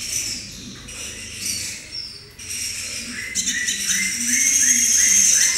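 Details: Juvenile brown-throated sunbird kept as a cage bird, learning to sing: faint high whistles early on, then a sustained very high thin whistle with quick chirpy slurs near the end, over a steady background hiss and faint voices.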